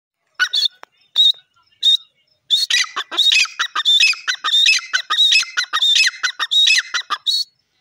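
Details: Grey francolin, known locally as dakhni teetar, calling: loud, shrill, high-pitched notes, a few scattered at first, then a fast repeated run of harsh ringing phrases about every half second in quiet surroundings.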